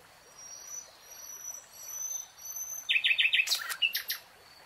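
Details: Amid a lush green forest a nightingale gives faint high thin whistles, then a loud quick burst of four repeated notes and a few sharp scattered notes.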